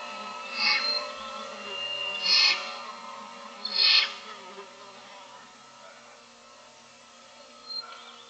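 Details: Six barn owl owlets in their nest in the morning, begging for food: three harsh, sibilant snoring hisses spaced about one and a half seconds apart, then quiet, with a low steady hum beneath and a faint later hiss.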